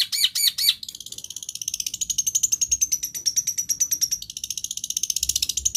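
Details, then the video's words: Long-tailed shrike copying other birds' voices: a few loud sweeping whistles, then a long, fast, even series of thin, shrill, high notes like a trill. "cendet / pentet pancingan segala jenis burung yang macet bunyi"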